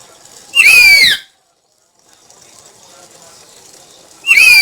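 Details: Black-capped lory giving two loud, harsh whistled calls, each sliding downward with rich overtones and separated by about three seconds of near silence.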